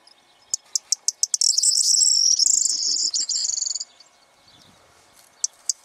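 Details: Singing Corn bunting during the breeding season, circling and perching on a hide in the morning: a run of separate ticks quickens into one long, shimmering, high-pitched jangle lasting about two seconds, then quiet with a few ticks.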